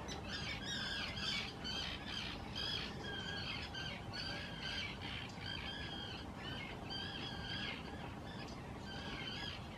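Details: Common terns in loud courtship and nest-site claiming on nesting islands in the Hula reserve, Israel, in spring 2018 give harsh, grating squawks, several overlapping at about two per second, over a steady rush of wind or surf.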